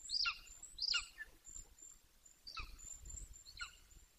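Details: Young male Golden Eagle, 18 weeks old, vocalising near its Bucovina nest: four high, descending squealed notes, the first two loudest, with low wind rumble underneath.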